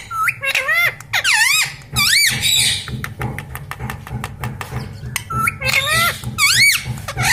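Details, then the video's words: Pet parrot, said to talk and say words such as mummy, papa, mithu and radhe radhe: bursts of high, warbling syllables with sweeping, bending tones in two groups, separated by a pause, over a steady low pulsing hum indoors. "parrot talking mummy"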